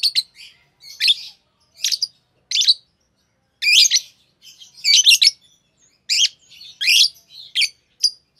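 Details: Green Fischer's lovebird pair giving bursts of sharp, high chirps and scratchy twittering notes in quick irregular clusters separated by short pauses, with no other sounds.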